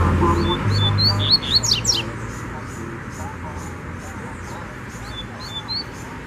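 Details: Double-collared seedeater in the wild, singing to fight over territory: short high whistled phrases and a couple of sharp downward-sweeping notes, then soft repeated chips, with low rumbling noise in the background.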